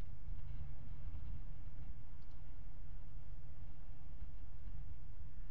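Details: Low, continuous engine-like rumble fills the recording, with no animal sound.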